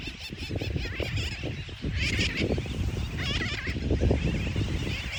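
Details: Sooty terns at a nesting colony at Fort Jefferson, Dry Tortugas, give nasal, wavering calls in short overlapping bursts, over a steady low rumble of wind.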